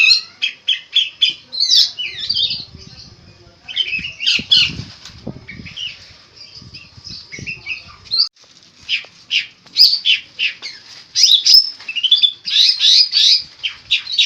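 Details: Long-tailed shrike in full song with unique mimicked phrases: long run of varied high chirps, trills and harsh notes in quick irregular bursts, with soft fluttering of wings at times.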